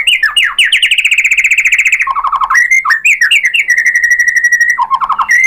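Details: White-rumped shama song meant to make other shamas answer: rapid buzzy trill repeated about ten times a second, then clear level whistles and a steady, loud rattling whistled trill, ending in quick downslurred notes.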